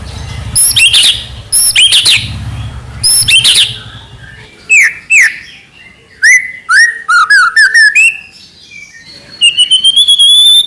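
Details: White-rumped shama song: spaced high whistled phrases over a low hum, then swooping slurred notes and rapid warbles, ending in a quick high trill.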